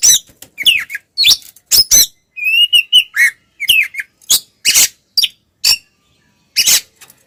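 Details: Oriental magpie-robin in provoking fighting song: quick downslurred whistles, a fast trilled run of tiny notes, then repeated harsh scratchy bursts spaced by brief gaps.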